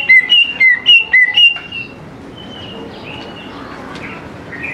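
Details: Greater green leafbird song meant to coax young birds into singing: about six loud clipped whistled notes alternating high and lower in quick succession, then fading into soft, faint warbling.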